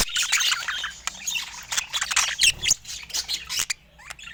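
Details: Budgerigars give busy, high chirping and scratchy warbles in quick bursts that thin out toward the end, leaving a few isolated squeaks and soft clicks.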